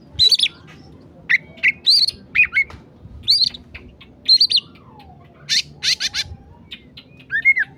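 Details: Oriental magpie-robin, masteran recording of emosi (agitated) singing: repeated short arched whistles at a high pitch, broken by brief pauses, a soft lower slur in the middle, and a few harsh sharp notes near the end.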